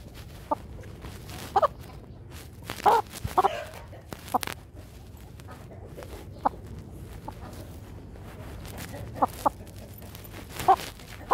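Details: An attacking Brahma rooster gives brief abrupt clucks at uneven intervals, a small cluster around the third second and more toward the end, over a constant low background hum.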